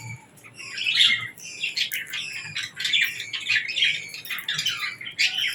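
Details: Baby budgerigars and lovebirds chirping while feeding and interacting; dense, overlapping high squawky chirps and rapid twitters fill the recording continuously, several birds calling at once, with a faint low background hum.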